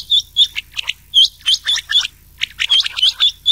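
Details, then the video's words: Rain quail calling, mixed with old quail calls, in a lure recording meant for night-time quail hunting in summer: high, sharp paired notes repeated roughly every half second, with clipped chirps between. "Changah Ki Awaz / Rain Quail"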